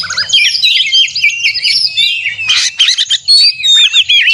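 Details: Oriental magpie-robin in a singing contest simulation, a fiery 'konslet' fighting-style song used to provoke caged birds: dense, rapid whistled and buzzy phrases with sharp slurred notes, layered and overlapping, with a faint low hum behind.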